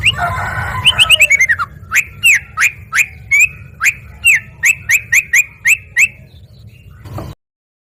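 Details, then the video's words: Yellow-vented bulbul in full voice, replying straight away: a short descending trill, then about fourteen sharp, spaced chirps repeated roughly every third of a second before stopping abruptly. "OCEHAN BURUNG TRUCUKAN GACOR LANGSUNG NYAUT"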